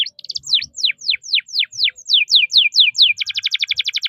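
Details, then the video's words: Domestic canary in full song, a 'cuit cuit ngerol' style kept as a tutor and trigger for contest birds: a steady run of loud, high, downward-sweeping whistles that ends in a fast, buzzing trill. "Suara KENARI GACOR, Untuk Masteran Dan Pancingan KENARI JUARA"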